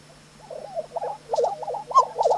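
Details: Male lesser prairie chickens displaying on a traditional lek in New Mexico in spring around sunrise: soft, low bubbling notes swell into quick, paired gobbling yelps that overlap from several birds, over a steady faint hum.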